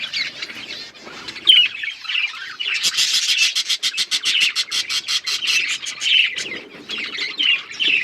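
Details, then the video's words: Australian parrots chattering together: scattered squeaky chirps and warbles, then a fast, evenly spaced run of sharp ticking pulses in the middle before the mixed twittering resumes. "Beautiful Australian parrots video Birds chirping sounds"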